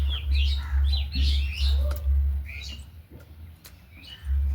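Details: Pet budgies living with hens: a cluster of bright, squeaky chirps at the start, then sparser calls fading out, over a throbbing low hum.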